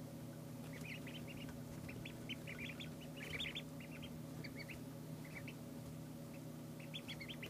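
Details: Chorus of high peeps from two-day-old ducklings, short upslurred notes tumbling almost continuously in overlapping runs above a droning background hum.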